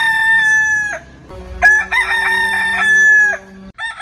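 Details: Backyard rooster from a heritage-breed crowing compilation, giving a drawn-out harmonic crow that ends in a drop, followed by a second crow over a low steady hum.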